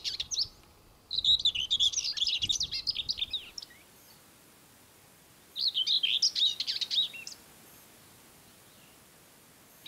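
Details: Wild common whitethroat in coastal Norway, Møre & Romsdal, mid-May, delivering two brief scratchy warbling phrases about two seconds long, separated by several seconds of quiet.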